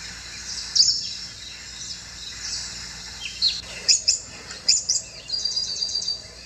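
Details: High, thin tweets from a Tickell's blue flycatcher at a bird bath: sparse quiet notes at first, then a cluster of crisp, clipped chirps and a short trilled phrase near the end over faint hiss.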